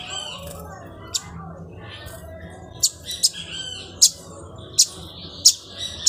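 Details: A captive "pirata" lined seedeater, nesting heavily and singing, gives high, sharp chirps and short buzzy trills, about one sharp note per second in the second half, over a faint low hum.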